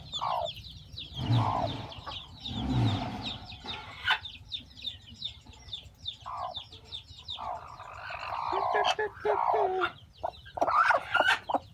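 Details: Hen hatching eggs into chicks on a farm; soft low clucks and scattered mid-pitched calls from the hen over a background of thin chick peeps, with pauses between bursts.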